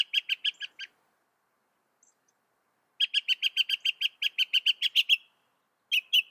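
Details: Northern mockingbird song made of rapid repeated notes: a burst of about seven chips, a silent gap, then a long run of around fifteen quick identical notes, and another burst starting at the end.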